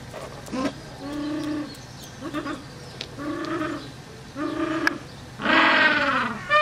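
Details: A small gentoo penguin chick at an Edinburgh Zoo nest early morning on 3 June, calling for food, gives wavering, bleating begging calls, roughly one a second, ending in a louder, harsher cry, over a low hum.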